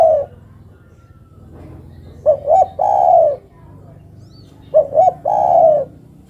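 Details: Female spotted dove cooing to call the male: the tail of one coo, then two full phrases of two brief notes leading into a long, even, gently descending coo, against a faint background hum.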